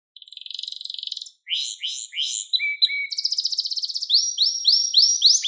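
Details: Canary song meant as a model for training young canaries: rapid buzzy trill, then rising slurred notes, a low whistled phrase, and fast repeated rising chirps in quick tours.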